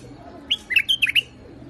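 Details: White-eared bulbul singing in a rooftop garden in Iraq: a quick phrase of five bright, warbled whistled notes, rising and falling, given in under a second against a quiet background.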